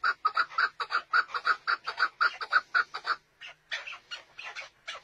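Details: Chukar partridge giving loud, rapid, evenly spaced clucking chuck notes about three per second for three seconds, then a brief pause and a looser run of softer, higher notes.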